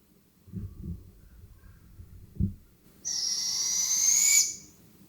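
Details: A wild young Barred Owl, one of two fuzzy, ruffled fledglings perched in a big-leaf maple by a forest homestead road in summer, gives one long, harsh, hissing screech rising slightly over about a second and a half, after a few dull thumps.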